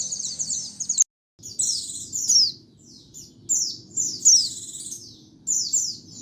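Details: High white-eye song meant for luring birds and training songbirds, background noise removed: short bright bursts of squeaky, slurred, falling notes about once a second, separated by quieter gaps, with a brief silent cut early on.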